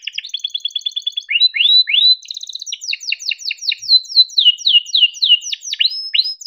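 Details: Canary song meant to prompt young or reluctant canaries to sing: a fast repeated chirping trill, then rising swept whistles, then a rapid series of sharp downward-slurred chirps repeated several times a second.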